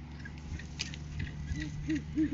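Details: Great horned owls on a live cam on 7 January 2023 during courting season, the male delivering a food gift to the female; a few soft, low arched hoots near the end, with scratchy rustling and a constant low hum.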